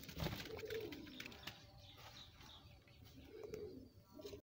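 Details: Group of pigeons kept in a pigeon house: low rolling coos, one early and another near the end, over steady rustling background noise.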